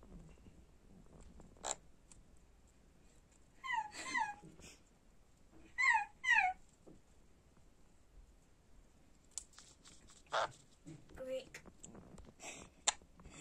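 A sun conure gives two bursts of harsh, harmonic squawks with quick downward-bending notes.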